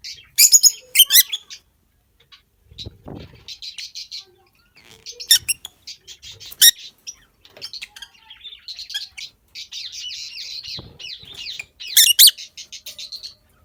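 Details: Peach-faced lovebirds, male and female, in a breeding colony with new babies, giving bursts of high, harsh chirps and chatter, some loud squawky notes around one, five, six and twelve seconds, with soft rustling between.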